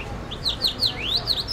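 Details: Caged songbird in a street in Kabul, Afghanistan, trained to sing, giving a run of high, sweet notes, each sliding up and down in quick succession, with faint background noise.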